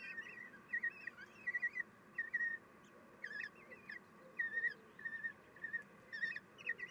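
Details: Common kestrel female feeding chicks at the nest on 3 June 2021 at 9:12: a busy series of thin, high, wavering squeaks and short chittering notes, in bursts every half second or so, over a steady low background hum.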